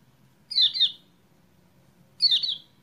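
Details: Two loud, busy kecial kuning (Lemon-bellied White-eye) phrases, each a quick cluster of falling chirps, about two seconds apart, used to coax a quiet bird into song; faint low hum throughout.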